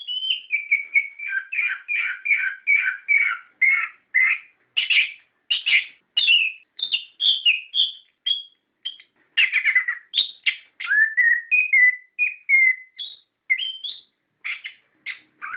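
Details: Orange-headed thrush rolling song, played to stimulate captive birds to sing: a long unbroken stream of quick whistled and chattering phrases that keep changing pitch and pattern, no other sounds.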